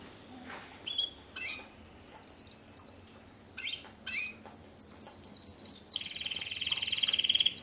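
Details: Timbrado Español canary, a male's 2013 bird described as fast, metallic and strong, singing in classic timbrado style: short separated phrases of bright pulsed notes and rising whistles, then a loud continuous high rolling trill building toward the end.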